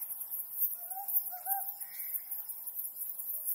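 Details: Ryukyu scops owl beneath the harvest moon giving one quick two-note hoot, rising and falling, followed by a brief fuzzy higher call amid a constant insect hiss.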